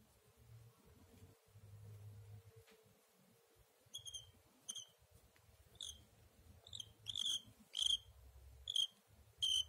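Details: Pet cockatiel indoors gives short, bright chirps with ringing overtones, repeated about once a second in the latter half, over a steady low room hum and faint rustling.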